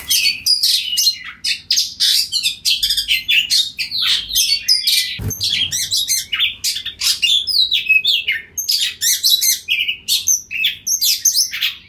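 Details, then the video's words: Energetic oriental magpie-robin song of the ngeplong style, used to provoke rivals into replying: nonstop stream of high chattering bursts, whistled slurs and scratchy notes over twelve seconds, with a brief low knock midway. "Suara Kacer Ngeplong Gacor Memanggil Kacer Lain Bunyi Nyaut Kacer Lawan Diam Langsung Jadi Nyaut !"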